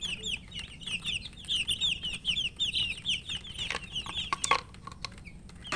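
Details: Poultry chicks thirsty for water, eating and chirping: a busy run of shrill falling peeps from many chicks that thins out near the end, where sharp knocks and rustling take over.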